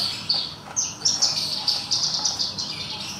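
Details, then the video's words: Horsfield's bush lark, caged and drying in the sun after bathing, sings a steady series of high, clipped chirps roughly three or four per second, blending into a continuous buzzy strand. "Branjangan Parva bunyi di bawah saat Penjemuran"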